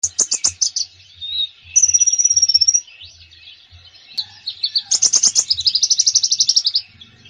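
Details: Konin bird singing a full, busy song, used to encourage a konin that rarely sings: rapid high chirp series, a long steady whistled trill, then quick buzzy repeated notes. No other clear sounds.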